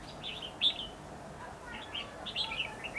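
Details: Competitive song of a red-whiskered bulbul serving as a lure bird while trapping on 8 December 2015: fluty, warbling phrases that tumble in quick succession, with faint low rumble behind.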